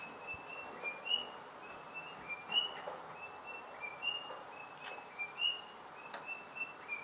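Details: At a bird feeder in Hazyview, Mpumalanga, South Africa, near Kruger National Park, a White-browed robin-chat sings clear, mid-high whistled notes in short repeated phrases, roughly one burst every second or two, over a soft hiss.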